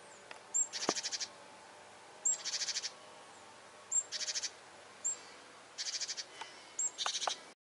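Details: Great tits scolding a cat hunting birds, warning of danger: a steady series of harsh ticking rattles, each a tight burst of clicks preceded by a short high note, repeated about every one to one and a half seconds.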